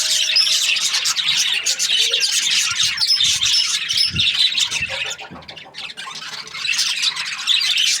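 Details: Budgerigar flock in breeding season chirping happily, dense squeaky chatter with a brief quieter dip past the midpoint before the twittering swells again, and a couple of low thumps.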